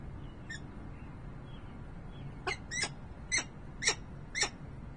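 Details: Calling peregrine falcon at the nest, Harrisburg, Pennsylvania, 28 November 2020: after faint soft notes, five loud clipped harsh calls come about half a second apart over low hum.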